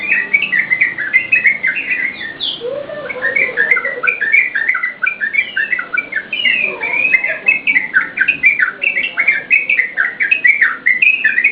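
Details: Yellow-vented bulbul in vigorous song, intended as a training tutor and lure for cage birds: fast chattering whistled notes in a nonstop run, with a short lower warble near the start.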